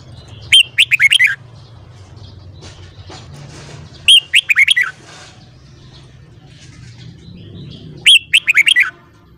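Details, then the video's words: Red-whiskered bulbul, a caged bird trained to sing, in morning song: three energetic phrases of five or six sharp, falling whistles, spaced about three and a half seconds apart over low hum. "Luyện giọng chào mào hót sáng .kích giọng chào mào hót hay"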